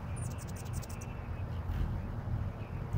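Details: Male Anna's hummingbird coming in to attack others at a feeder about a foot from the recordist: a quick burst of high, thin, scratchy chips, then a few faint ticks, over a steady low rumble of wind.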